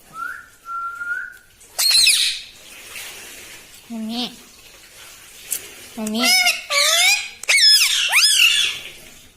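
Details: Talking parrot kept as a pet, said to say "mitthu mitthu" and "mummy"; a steady whistle opens, followed by a rapid mix of low nasal syllables and high swooping squeaks.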